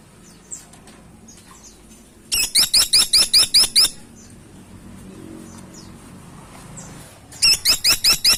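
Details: Two bursts of shrill, rising notes from a Grey-and-buff Woodpecker, each burst about seven quick squeaks, separated by several seconds of faint hum and distant chirps.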